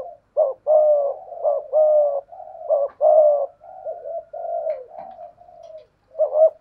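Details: Decoy spotted dove cooing 'gù' in 'thổ pha thúc' style against a wild dove; overlapping hoarse coos, loud paired notes early, then softer lower coos, possibly a second bird, and a final loud phrase.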